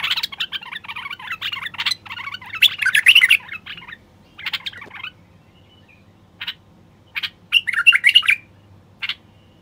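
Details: A stud male common bulbul sings to stimulate wild bulbuls to sing and mate. It opens with dense, chattering buzzy notes, then gives clear warbled phrases broken by short pauses and single sharp notes.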